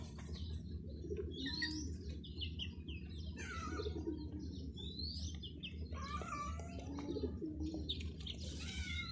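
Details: Several chicken chicks giving bright, falling peeps in irregular overlapping bursts throughout, with a constant low-pitched hum underneath.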